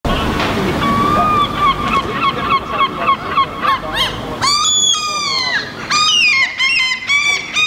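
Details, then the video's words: Herring gull fledgling and its two parents on a rooftop in Helsinki, Finland, in July 2015, with one parent eating, trading loud, nasal, rapidly repeated calls that overlap, with higher drawn-out wails near the end. "Herring Gull parents and fledgling interaction"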